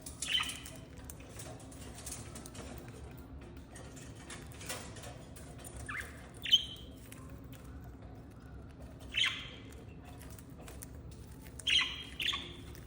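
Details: Happy pet budgerigars giving short, bright chirps at scattered intervals over a soft background hiss.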